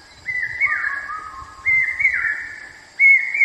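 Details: Common hawk-cuckoo, a brood parasite of babblers and crows, giving its 'brain fever' call: loud, clear whistled phrases of two or three notes, repeated about every one and a half seconds, with a faint low rumble behind.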